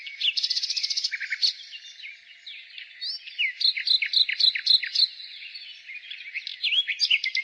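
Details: Spring song of a nightingale: a rapid rattling trill, then a pause and a string of varied, loud, chopped notes repeated in quick series. Softer twittering from other birds fills the background.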